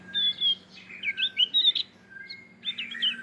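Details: Male Javan grey-throated white-eye, endemic to Java, singing bursts of squeaky twittering and sliding whistles. Two phrases are separated by a short gap with a single thin note, over a faint low hum.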